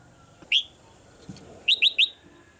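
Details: Female red-whiskered bulbul in a cage, calling to spur the male to sing more: one sharp chirp, then a quick triplet of bright, slightly falling notes, over a low hum.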